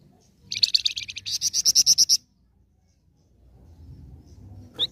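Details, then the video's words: Energetic flamboyan song used to lure other birds into answering: a two-second trill of quick high notes that turns into spaced, ringing repeated notes. Low background murmur follows. "Pasti Langsung Nyaut Dengar Suara Burung Flamboyan Gacor Satu Ini"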